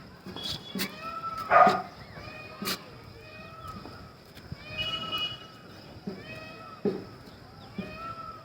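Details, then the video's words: Indian peafowl in rainy season, heard from a rooftop beside forest near a city, give repeated nasal, cat-like wailing calls in quick succession, over a man talking and a few sharp knocks. "मोर की आवाज आ रही है आपको अगर आए तो कमेंट में जरूर बताना कि मोर की आवाज आई मोर"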